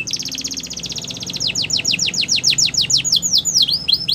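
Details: Canary delivering a rapid trill of high notes that gradually slows into separate descending whistles, ending in a few looping notes, over low background hum.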